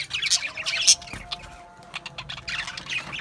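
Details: Australian budgies chatter loudly in scratchy, rapid bursts, a louder squawking flurry at the start, then softer warbling and clicks before rising again.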